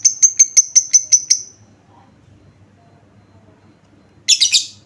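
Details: Lovebird lure sound made to draw an immediate answer from other lovebirds: seven sharp, high ticking chirps in quick regular succession, a quiet pause, then a short harsh rattling burst.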